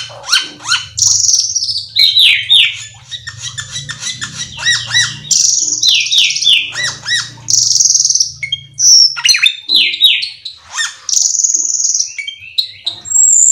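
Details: Long varied cucak keling song played to stir other cucak keling into singing: fast trills, whistled slurs and repeated downsweeping notes in dense succession over a soft low hum.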